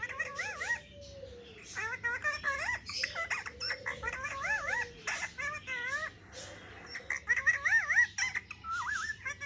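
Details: Pet parrot at play with a mobile phone, producing repeated wavering, warbled whistle-like phrases in a talking style, with short gaps between bursts and a steady low hum underneath.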